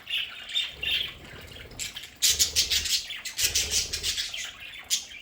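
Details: Pet budgies at home chirp softly, then a burst of rapid fluttering wingbeats and scratchy calls follows, with more flapping and chatter toward the end.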